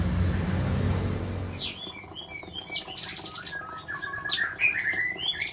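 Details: Captive female sooty-headed bulbuls offered for sale in the Semarang area, Indonesia: after a low engine-like hum, short whistled and slurred notes mix with bright buzzy rattling bursts from several birds.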